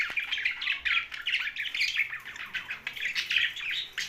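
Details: Steady rapid chirping from a young budgerigar: rasping, buzzy notes repeated several times a second without pause.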